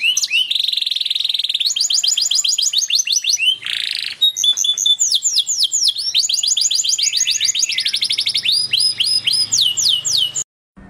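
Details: Excited canary in full continuous song: long rapid trills of falling whistled notes, a brief harsh buzzy phrase, then further fast rolling tours at varied pitch, stopping abruptly at the end.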